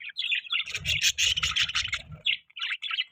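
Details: Short burst of budgerigar chatter: quick scratchy chirps blending into a harsh warbling stretch, low rumbling knocks beneath, ending with a few clearer separate chirps.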